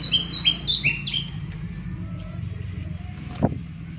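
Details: Green leafbird (cucak ijo) used to stir silent leafbirds into singing: about five loud, swooping whistled notes in the first second, then only background hum and a single knock.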